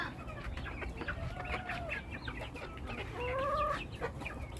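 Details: Backyard chicken flock calling: scattered soft clucks and short squawks, with a couple of drawn-out tonal notes near the end, over a steady low hum.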